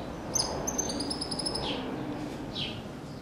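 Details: Cattle tyrant singing: a quick run of thin, very high evenly spaced notes, then short down-slurred chirps, over a steady low outdoor background hum.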